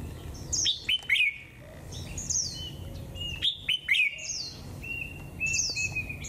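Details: Japanese white-eye singing in the 'họa kép' style with 'líu thung' phrases on a cold 11 °C day: bright high whistles and quick descending sweeps, phrases repeated in bursts, faint low background hum.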